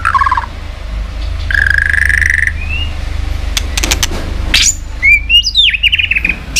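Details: White-rumped shama song used to stimulate and train other shamas: a short warble, a steady buzzy trill, then a cluster of sharp clicks and loud slurred whistles, over a constant low rumbling background.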